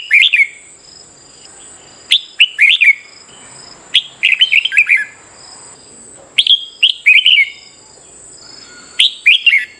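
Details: Red-whiskered bulbul singing in contest style for morning stimulation, sharp bubbly phrases of rapid chirps in bursts separated by two-second pauses, against a continuous thin high hum.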